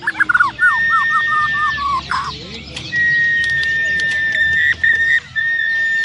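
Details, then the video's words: A caged white-rumped shama (murai batu) sings at the Bupati Cup Landak bird contest on 15 October 2017, opening with quick, rich, looping whistles, then holding a long, clear, steady whistled note, with faint clicks and other birds behind. "Suara Burung Murai"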